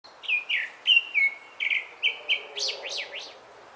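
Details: Grey-backed thrush song: a run of clear whistled notes held near one pitch, some sliding down, ending in three quick high rising-falling flourishes; quiet background.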